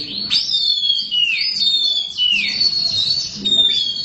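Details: Oriental magpie-robin (black kacer) kept as a cage bird, singing clearly: long pure whistles, some rising and some falling, broken by short sharp chirps. Faint low talk is heard between the phrases.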